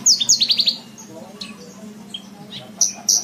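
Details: Javan bush lark song used for training caged birds: a fast burst of high descending chirps at the start, a quieter scattered middle, then two loud high whistled notes near the end.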